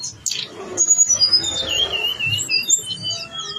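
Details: Blue-winged leafbird, called tledekan gunung, delivering isian-filled gacor song: a long wavering whistle that wobbles downward, preceded by sharp high notes and followed by thin, scattered high whistles.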